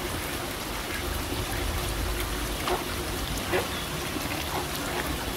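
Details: Continuous trickling and flowing water at a pond, steady and even, with no clear animal call.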